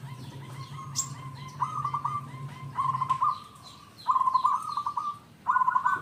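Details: Zebra dove of local wild stock, sung to draw other zebra doves into answering: repeated phrases of quick rolling trilled coos, four bursts spaced about a second apart, with many faint chirping birds and a low background hum.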